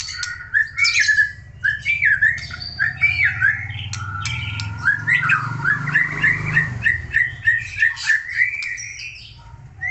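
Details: Aceh white-rumped shama in full energetic song, pouring out varied whistled and warbled phrases, rising and falling quickly, with short buzzy flourishes and sharp chips over a steady low background hum.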